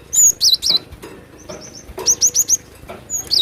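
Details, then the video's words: Wild cinereous tit (glatik batu), singing energetically: clear high whistled notes in quick runs of three to four, some sliding downward, with a few brief pauses between phrases. "Glatik batu gacor emosi dengan suara asli alam liar"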